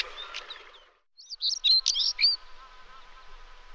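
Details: European stonechat (Saxicola rubicola) singing: one short, scratchy phrase of quick high squeaky notes lasting about a second, after a brief pause, over a steady low hum.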